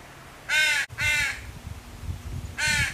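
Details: Crow fledgling calling to its mother for food: three rough, buzzy caws, the first two close together, a low rumble underneath and a gap before the last.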